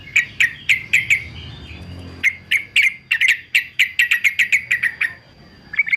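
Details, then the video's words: Male fighter yellow-vented bulbul for training birds to sing: clear, ringing chirps repeated in quick series, a short pause, then a longer rapid string of similar bright notes. "TRUCUKAN JANTAN FIGHTER ANTI BISU"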